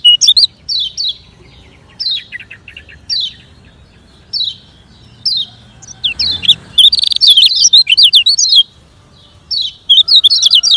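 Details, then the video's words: Lemon-bellied white-eye (kecial kuning, Lombok) singing in fast, energetic 'ngejoss speed' style, used to train slow singers: bursts of high, sharp chirps and downslurred twitters in rapid clusters, with one brief noisy rustle midway. "Kecial Ngejoss Speed Kengceng Untuk Latihan Kecial Kuning Lambat"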